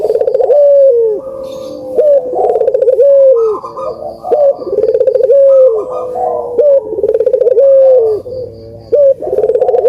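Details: Puter doves cooing continuously to stimulate lazy birds to call: rhythmic low coos, each swelling upward and dropping away, repeated roughly every two seconds by several overlapping birds, with a faint steady ticking.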